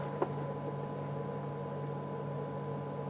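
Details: A quiet, steady low engine hum with constant tonal bands and faint broadband hiss, and no animal voices.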